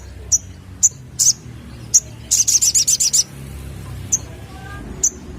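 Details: Sunbird song used as a lure for young birds: sharp, very high, thin chirps given singly at irregular intervals, with a quick burst of about eight rapid chirps in the middle, over a soft low background hum.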